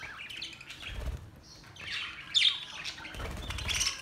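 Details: Budgerigars on May 29, 2023, breeding noted: continuous scratchy chattering with a loud sharp chirp midway, soft rustling and low thumps underneath.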